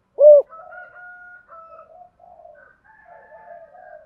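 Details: One loud arched coo from a spotted dove in thúc gù giọng thổ style, followed by several faint, drawn-out distant coos from other doves.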